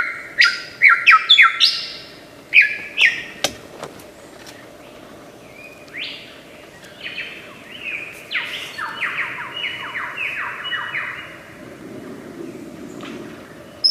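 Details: Mimicking lyrebird from Australian forests: a burst of rapid sharp chirps, then a long train of about a dozen quick descending notes in steady succession, quieter at the end, with a faint low hum behind.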